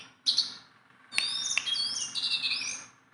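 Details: A sharp high chirp from a tame caged Sunda bulbul, followed after a pause by two clicks and a sustained warbled whistle with chattering overtones.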